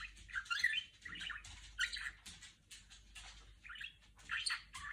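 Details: Female budgerigar kept as a pet imitating R2-D2 beeps: scratchy warbled phrases with short squeaky whistles in bursts separated by brief gaps, a small room around it.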